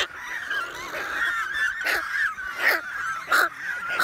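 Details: Large mixed breeding colony of American white pelicans and cormorants on a remote island lake in the Canadian wilderness, June 23, 2018, recorded on an iPhone 7+. Many overlapping honking, chattering calls form a continuous din, with sharper louder bursts standing out.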